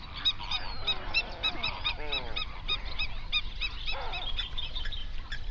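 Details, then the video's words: A flamingo flock on a lake in an Overberg national park, South Africa, recorded binaurally. Rapid overlapping honks form a busy chorus, broken by a few drawn-out, downward-sliding harsh calls near the middle. "Flamingo sounds"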